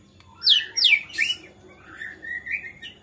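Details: White-rumped shama in agitated song that goads rival shamas: three quick, high downslurred sweeps followed by softer, wavering whistled warbles.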